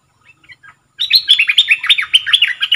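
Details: Red-whiskered bulbul, a caged decoy bird, starts with a few soft chips. Then comes a loud rush of rapid, looping whistled notes that continues to the end.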